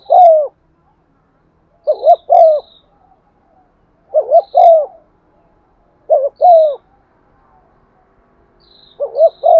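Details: Caged lure spotted dove pressing out its coo in a practiced pattern: five clipped double-then-long coo phrases roughly every two seconds, with faint thin high chirps in the background.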